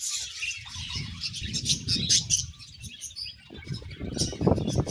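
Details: Budgerigars pairing, giving dense, rapid high chirping and warbled chatter with low thumps and rustling of movement throughout.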